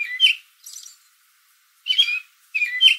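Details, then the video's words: Late-afternoon American robin in a backyard tree calling to other robins; three loud, sharp chirped notes with a fainter one between, separated by a clear pause. "American Robin Afternoon Call"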